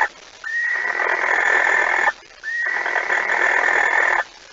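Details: Barn owl at its nest at 05:14 on 26 August 2019, as the night's second mouse is brought in: two long, harsh, breathy hisses, each about 1.7 seconds, separated by a short pause.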